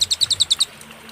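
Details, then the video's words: Short cililin phrase from a clear master recording for training songbirds: seven quick, high, ringing chirps in even rhythm, then silence. "masteran suara, burung cililin suara jernih & berjeda"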